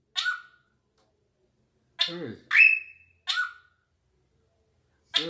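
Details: Sweet black drongo singing again on request: short scratchy notes with low whistled tails alternate with a louder, higher drawn-out whistle, while a person speaks briefly.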